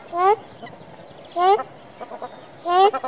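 A ruddy shelduck gives loud, nasal, slightly rising honks, three in a row about every 1.3 seconds, with faint soft clucking notes between them.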